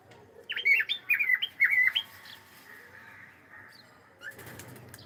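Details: Pet cockatiel saying hello, giving a quick burst of five or six bright, warbling chirps in the first two seconds, then quiet room sound and a soft rustle near the end.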